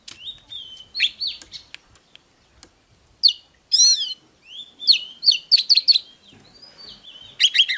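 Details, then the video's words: Oriental magpie-robin song, meant to rouse a male: varied whistles and slurs, a harsh squealing note, and a lively cluster of rising and falling whistled phrases toward the end. "Chòe than HÓT"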